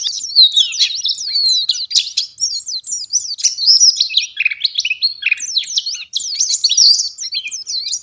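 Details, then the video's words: White-eye known locally as pleci ngalas in full gacor song: fast, crowded stream of thin, high chirps and zigzag whistled slurs, some notes dipping lower midway, running continuously over a quiet background. "Burung Pleci Ngalas Gacor"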